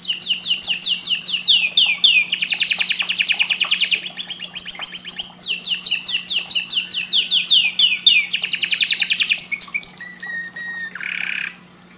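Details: Canary song meant to stimulate breeding: fast, bright trills and rolling repeated notes, each phrase a rapid series changing pitch, then a sustained whistle and a short buzzy note at the end, over a steady low electrical hum.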